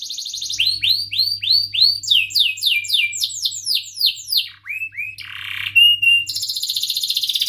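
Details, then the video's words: Canary performing a rolling song used to train young canaries: repeated bright upward-curving whistles, then quick descending slurs, a dip to lower notes, a short harsh buzzy burst, and a closing fine rapid trill over a low hum. "Kenari Gacor Cuit cuit Ngerol MENEKAN LAWAN AMPUH utk Pancingan Kenari PAUD belajar Bunyi & MACETAN"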